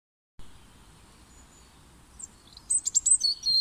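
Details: European robin singing in full voice in February 2021 in spring, a quick run of thin, high, tinkling notes and trills after a quiet start, with faint background hum; it has caught a worm.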